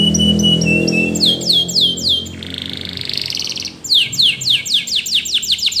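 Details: Training song from a Spanish Timbrado canary: quick repeated chips, a series of sweeping downslurred notes, a brief buzzy roll, then fast falling whistled strokes repeated several times a second over a low background drone.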